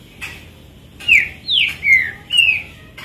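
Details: Green-winged saltator, a privately owned bird, singing loud whistled phrases: four clear slurred notes, each sliding downward, spaced roughly every half second, with brief faint notes at the start and end and quiet background.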